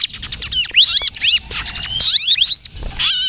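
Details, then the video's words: Crystal-type bar-winged prinia singing to lure other birds and set young ones singing: high sweeping upslurred and downslurred whistles, some drawn out, over busy ticking. "suara burung ciblek kristal gacor, ciblek kejepit untuk pikat dan pancingan ciblek bahan agar bunyi"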